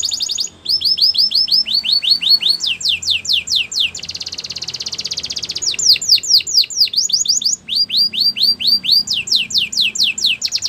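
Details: Canary song meant for training other canaries: a continuous high, rapid trilling made of repeated sweeping syllables. The phrases switch between faster and slower rolls, with one buzzy stretch in the middle. No other sounds are clear.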